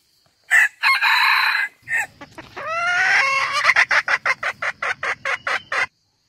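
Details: Red junglefowl calling, hen calling rooster and rooster calling hen, used as a trapping lure: a harsh crow burst, then a rising squeal and a fast run of short clucks, about three per second.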